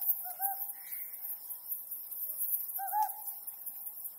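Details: Nighttime Ryukyu scops owl beneath the harvest moon: two low hooting calls, each opening with a quick rising-falling note, about two and a half seconds apart, with a brief higher buzz and steady high hiss behind.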